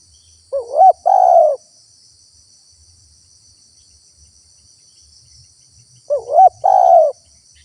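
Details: Spotted dove calling, recorded as a lure so wild doves answer and approach. Two identical coo phrases about five seconds apart: a short rising, wobbling note, then a longer steady coo. A high, even insect drone fills the background.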